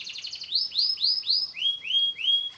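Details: Canary singing to encourage silent canaries, a short buzzy trill followed by evenly spaced rising-then-falling whistled arcs, roughly four per second, stepping lower near the end.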